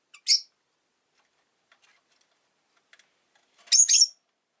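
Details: Two short, piercing squeaks from a pet rosy-faced lovebird, separated by about three seconds of near quiet with faint clicks.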